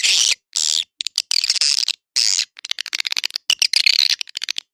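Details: Edible-nest swiftlet lure sound for swiftlet houses: a few long buzzy high twitters, then a flurry of fast clicks and chattering chirps, sharply cut between phrases.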